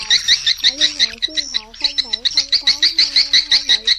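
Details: Edible-nest swiftlet flock-calling sound used to draw birds into a swiftlet house: a steady series of sharp, high chirps, about three per second, briefly broken, accompanied by lower smooth, wavering tones.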